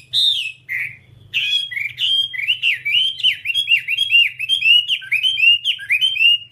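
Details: Whambie tutor song: a few loud opening whistles, then a fast, chattering sequence of downslurred and upslurred whistled notes about the same pitch, over a faint low hum.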